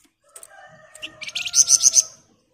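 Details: Sunda bush warbler in dense ngebren song: soft chips and a faint low hum lead into a rising run of quick, shrill repeated notes lasting under a second.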